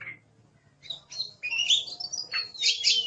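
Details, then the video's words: Oriental magpie-robin in 'gacor' tutor song: a short note, then a loud run of harsh, buzzy high phrases and slurred whistles, with faint low background noise. "Suara Burung Kacer | Gacor"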